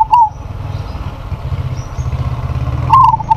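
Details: Local zebra dove calling a rival, which replies: a short bubbling coo at the start and a longer trilled phrase near the end, over a steady low engine-like rumble.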